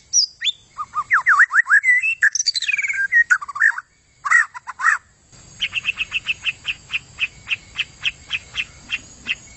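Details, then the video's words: Energetic white-rumped shama song: swooping up-and-down whistles and sharp chirps, then a steady run of evenly spaced clipped notes over low background rumble. "Inilah aksi gacor super maut dari murai buntut panjang"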